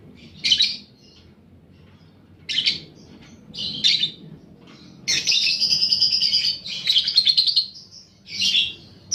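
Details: Lure recording of a paud balibu fighter lovebird used to stimulate fighting lovebirds: separate shrill chirps at first, then a long buzzy high chattering stretch and a final chirp.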